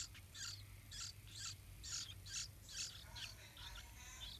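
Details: Two large yellow-vented bulbul chicks nearly ready to fly, fed by their parents at the nest: a quick series of harsh, high chirps, roughly two per second, slightly uneven in loudness.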